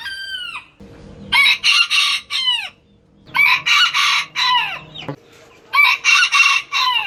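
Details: Roosters of various Turkish breeds crowing in turn: harsh, harmonic-rich crows about a second long, several overlapping or following closely, with quieter gaps and a faint low hum between bursts.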